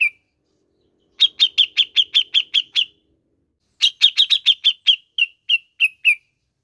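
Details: Grey-cheeked bulbul (cucak jenggot), played to stimulate a caged bird to sing: one bright note, a pause, then two rapid series of sharp, even chirps, about eight notes each, the second trailing off into spaced notes. The background is clean and silent.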